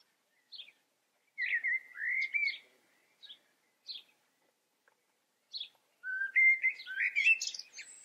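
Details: Common blackbird singing: scattered short high notes, then low fluted whistled phrases that slide and warble, ending in a rich burst of mixed whistles and squeaky twittering, with quiet pauses between phrases.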